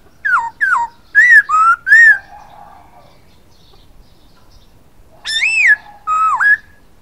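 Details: Poksay hongkong (masked laughingthrush) giving a lively whistled song, several short slurred notes in quick succession with a soft trailing whistle, a pause of about three seconds, then two fuller warbled phrases, no other sounds.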